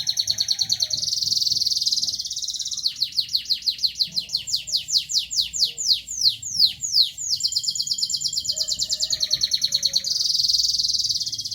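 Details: Local canary alternating bright sustained trills with a long series of sweeping downslurred chips that quicken, then returns to buzzy rolls.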